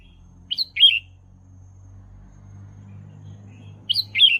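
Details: Red-whiskered bulbul singing, a recording for training young birds: two identical short phrases, each a quick high note followed by a slurred warble, about three and a half seconds apart, over a continuous low hum.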